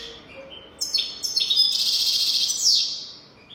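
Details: European goldfinch singing a 'golden throat' style song meant to tutor young goldfinches. A short whistled note leads into a dense, sustained, buzzy twittering phrase that fades at the close.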